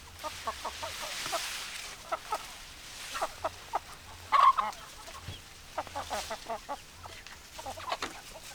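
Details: Hens clucking: distinct short clucks repeated at irregular intervals, with one louder, longer cackle in the middle, over a quiet low hum.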